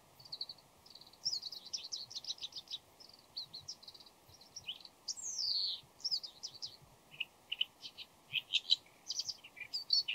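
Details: A bull-headed shrike before dawn rambles through scratchy chatter, thin whistles and borrowed phrases, possibly mimicking an oriental greenfinch and a laughingthrush-like voice, in quick high bursts with pauses; possibly calls and courtship song.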